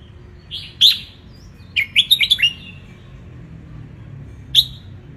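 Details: Wild Ratchaburi red-whiskered bulbul in the sun, its song intended to tutor young birds. A bright chirp, then a quick cascade of five or six sweet, slurred notes, and one last sharp chirp after a gap.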